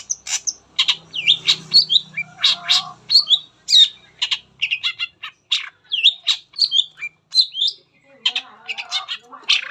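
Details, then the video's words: Shrike song played to encourage other shrikes to sing: rapid, varied chirping and scratchy squawks in steady bursts, with a faint low hum in the background early on. "PANCINGAN CENDET APAPUN CEPAT BUNYI"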